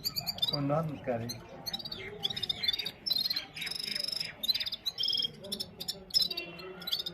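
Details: Red-fronted serin (Gulsar), a kept singing bird recorded on a mobile phone, giving a fast, high, tinkling twitter of short trills and buzzy notes in rapid bursts, with a brief low human voice at the start.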